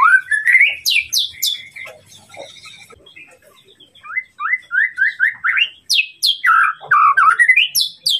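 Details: Tutor song of a white-rumped shama meant to provoke a rival's emotion. It has high whistled sweeps, then a quieter gap, then a rhythmic series of repeated rising slurred notes about twice per second, ending in loud high flourishes.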